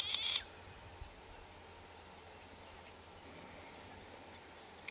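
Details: Latham's snipe (Gallinago hardwickii), recorded 28 May 2020: one short, harsh, rasping call under half a second long, followed by a quiet hiss with a faint tick at the end.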